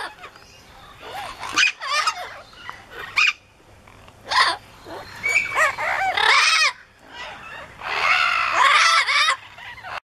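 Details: Several pet Amazon parrots (yellow-naped, lilac-crowned, blue-fronted) in a loud screaming session: raucous, grating shrieks and squawks come in irregular bursts, building to a dense, continuous chorus of overlapping cries near the end.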